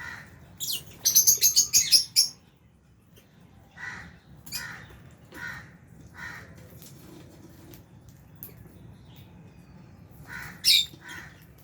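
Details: Albino and Fisher's lovebirds, kept with budgies in an aviary, calling while eating. A quick burst of shrill, sharp chirps comes early, then scattered harsh squawks spaced a second or two apart over quiet low hum.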